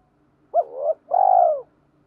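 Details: Decoy spotted dove calling to draw in wild doves, one clean phrase: a sharply rising first coo sliding upward, a brief gap, then a long, full, slightly falling coo, in a quiet setting.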